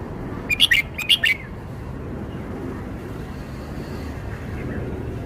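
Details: Red-whiskered bulbul in Thailand performing its song phrases: two short bursts of bright, chirpy whistled notes in quick succession, then steady background hiss.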